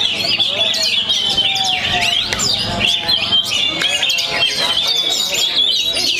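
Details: Young Oriental magpie-robin from Perbaungan, just past moulting, pours out a fast stream of high whistles, sharp rising and falling notes and chatter, while people talk in the background.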